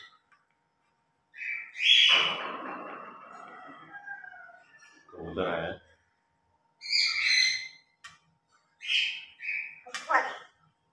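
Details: Pet grey parrots during their morning routine, playing noisily while talking; scattered bright squawks and speech-like chatter in separate bursts with short silences between them, and a lower voice briefly heard in the middle.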